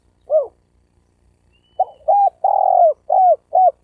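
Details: Spotted dove cooing, used to provoke wild doves and males and females to coo and fight: a lone short note, a pause, then a phrase of clipped notes around one long drawn-out hoarse coo and two shorter falling coos.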